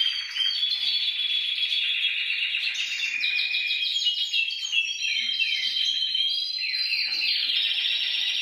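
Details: Canary song used to stimulate other canaries, a continuous loud warbling run of fast trills and downward-sweeping notes that switch pitch every second or two.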